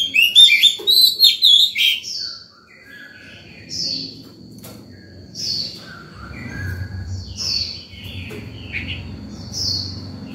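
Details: White-rumped shama morning song used to call other birds and train young ones: an opening flurry of bright whistles, then softer rising phrases repeated about every two seconds over low rumble.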